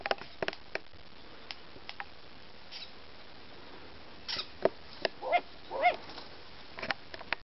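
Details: Long-eared owl (Asio otus) chicks at Askania-Nova, disturbed by an ornithologist's arrival, give sharp irregular bill clicks and short hissing, rasping bursts; the parents flew in in response to the clicking and cries.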